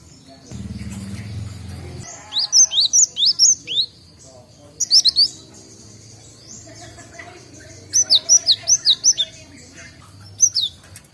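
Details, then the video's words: Young cinereous tits learning to call give three bursts of rapid, high, sharp chirps, each burst a quick run of five or six notes, separated by short pauses, after a brief low rumble at the start. "Burung Gelatik Batu|Glatik Watu | belajar bunyi"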